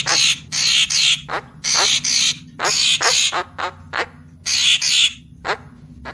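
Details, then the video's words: Papuan magpie-robin in full lure-call voice: harsh, wheezy buzzing phrases interleaved with sharp short notes, repeated in quick succession. "Suara Pikat Burung Murai Papua Full Gacor"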